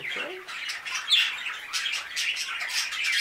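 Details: Budgerigars, five new birds, keep up a busy scratchy warbling, a steady mix of squeaky chirps, clicks and harsh squawks from several birds at once.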